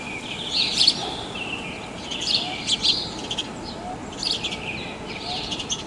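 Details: House sparrow recorded on the coast at Praia de Pipa, Tibau do Sul, Rio Grande do Norte, Brazil: irregular groups of high, bright chirps with a few softer notes, against steady background noise.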